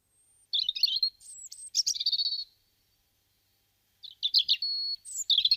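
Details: European robin recorded in Guadalajara, Spain, in February 2010, singing two high, jumbled phrases of rapid twittering notes and thin drawn-out whistles, separated by a pause of about one and a half seconds; otherwise quiet.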